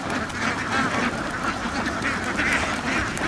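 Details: Ducks crowded on a farm give a short burst of thick, overlapping nasal quacking, continuous and loud from start to finish.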